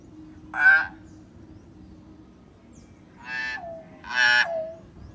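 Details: Common hill myna, a bird that had stopped singing, with recorded sound used to prompt it to respond: a single loud harsh harmonic call, then two more calls each ending in a dropping nasal tail, over a steady low hum.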